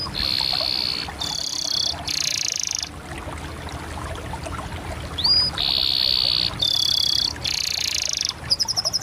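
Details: Canary song built from dense, buzzy rolling trills in separate bursts, broken by a short quiet gap and a single rising whistle, then more rolls and a fast high twittering trill at the end.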